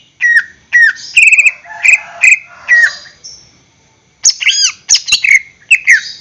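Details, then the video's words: Greater green leafbird, a caged bird whose song serves as a lure for others: downslurred whistles, a rattling phrase of clipped notes, then after a pause a fast energetic string of high whistles. "PANCINGAN gacor cucak hijau suara Full panjang untuk pancingan burung bahan agar SELALU GACOR"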